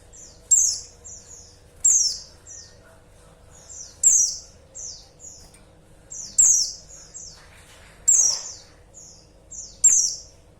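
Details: Female white-eye calling for the male in a steady series. Loud, high, falling chirps come about every one and a half to two seconds, each followed by softer, fainter chirps.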